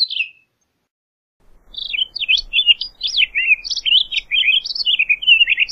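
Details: Townsend's solitaire singing: a brief descending slur, a pause, then a long, continuous, rambling warble of quick rising and falling whistled notes running for four seconds without a break.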